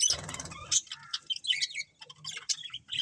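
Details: Colony of colourful budgerigars chirping: a dense burst of noisy chatter opens, then sharp high chirps and squeaky notes follow irregularly, overlapping from several birds.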